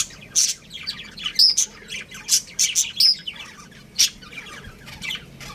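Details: Chirping from a pet budgerigar breeding pair: loud, scratchy high chirps and short squawks in uneven clusters, a few bright whistled notes among them, then quieter twittering toward the end.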